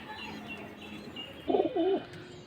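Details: Several pigeons in a loft after morning feeding, calling constantly and squabbling over each other's nest boxes; one gives a low, throaty burst of cooing about half a second long, rolling and wavering, over quiet background with faint high chirps.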